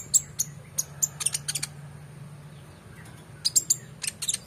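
Oriental magpie-robin gives bursts of very high, sharp squeaky notes and dry clicks in two quick runs, a pause between them, over a faint low hum.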